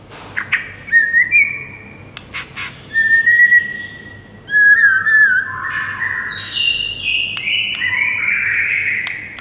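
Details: White-rumped shama song used as morning training material for birds to sing: sustained clear whistled notes, some wavering, and higher slurred phrases toward the end, over a steady low hum with faint clicks.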